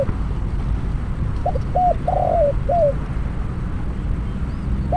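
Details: Spotted dove serving as a trapping decoy calls one coo phrase: two brief notes, a drawn-out vibrating coo, then a slurred downward note. Low-pitched background rumble runs throughout.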